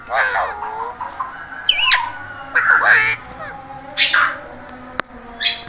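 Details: Pet parrot producing speech-like talking, short harsh phrases and squawks separated by brief pauses, with a sharp click near the end.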